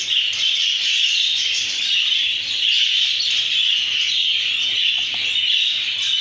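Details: Texas mutation budgerigar chicks raised by keepers keep up a steady, dense chorus of high, raspy chirping, many voices overlapping continuously with no pauses.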